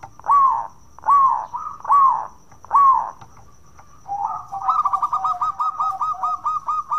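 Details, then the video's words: Prompting song of a local zebra dove, used to set other doves singing: four drawn-out, slurred coos at a steady pace, then a pause and a rapid stuttering trill of short cooing notes. "Pancingan Perkutut Lokal Gacor Suara bekur bikin menaikan Tensi Bunyi"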